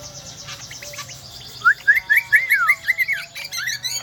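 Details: Kecial kombo from Lombok island, where it is endemic, singing shrilly: faint twitter at first, then a clear series of bright upslurred and downslurred whistles, ending in high sharp chips.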